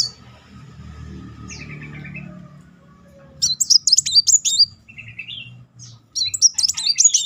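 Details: Van Hasselt's sunbird song as a lure for singing: after a quiet start with faint chirps and a short lower trill, two bursts of quick, high, zigzag notes mixed with sharp ticks.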